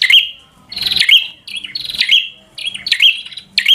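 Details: Bar-winged prinia in full 'gacor' fighter song meant to provoke a rival to fight: sharp, high whistled notes rising and dipping, in bursts roughly once a second, with faint low hum beneath.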